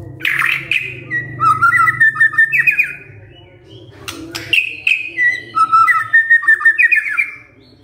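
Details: White-rumped shama lure song used to draw replies from other shamas: loud sweeping whistles and rapid chattering phrases in two bursts, over a constant low hum with a faint human voice.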